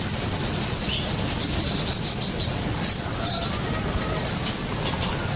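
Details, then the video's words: Sumatran leafbird kept in an aviary, with a run of bright, high chirps and quick whistled notes, some in dense clusters and others spaced, over steady low hiss. "Pesona Burung Cucak Ijo Padang Penghuni Kandang Aviary"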